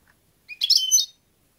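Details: A single short phrase from a European goldfinch: a quick rising note followed by a dense, tinkling twitter lasting about half a second, otherwise silent.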